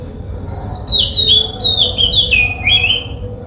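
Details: Oriental magpie-robin calling in Sri Lanka, filmed with a Nikon COOLPIX P1000: a run of clear, high whistled notes, some sliding down and others warbling, over a steady low hum of background noise.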